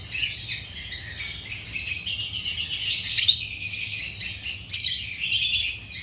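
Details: African lovebirds giving continuous high, scratchy chirps and twittering, a dense chorus of overlapping calls with sharp accented notes near the start.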